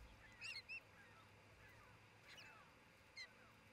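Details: Osprey pair at their newly built nest in Charlo, Montana, recorded by nest camera on June 27, 2018, early afternoon: a few short, sharp whistled chirps near the start and one more after three seconds, over steady faint background noise.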